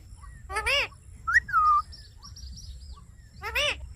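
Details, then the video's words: Green Indian ringneck parakeet calling: two harsh, rising-falling squawks with rich harmonics, separated by a short whistled note that slides down and then levels off, over a low rumble of background noise. "Green Ringneck Parrot Talking Natural Sounds"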